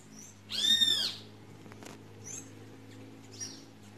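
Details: A great kiskadee, caught and held in hand before being released as others of its kind gather nearby, gives one loud, harsh, arching call under a second long, then two faint shorter notes over a low steady hum.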